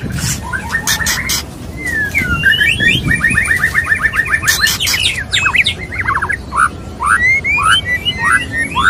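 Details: A courting male white-rumped shama (murai batu) calls to a female: a rapid rattling series of short repeated notes, then scattered loud upslurred whistles and chips, with a few sharp clicks and low hiss behind.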